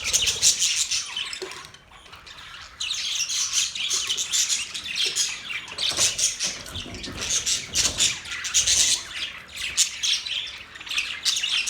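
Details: Continuous scratchy budgie chatter, raspy warbled notes and squeaks layered together, dipping briefly near two seconds.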